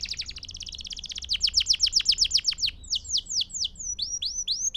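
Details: Canary song meant for training young birds: a fast stream of steeply falling high notes repeated about four times a second, slowing into separate slurred whistles and rising upslurs at the end.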